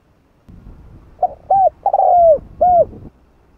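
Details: Spotted dove giving a 'hạp bổi' style coo meant to excite other doves: a short note, a rounded hoot, a long sliding coo that falls at the end, then a final rounded note.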